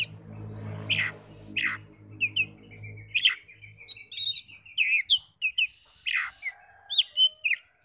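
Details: Oriental magpie-robin song meant to provoke rival magpie-robins to sing: harsh downslurred squawks, then quick sharp whistles and twittering repeated notes, with low humming noise early on.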